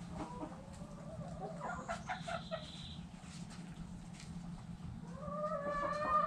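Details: Backyard chickens, hens clucking: low murmured clucks with scattered higher calls and a rising, harmonic call near the end over steady background hum.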